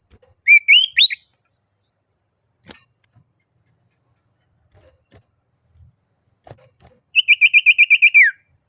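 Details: Oriental magpie-robin in agitated rival-calling song: two rising warbled phrases, a long quiet gap, then a fast even trill of about ten notes ending in a falling slur; a faint steady hum throughout.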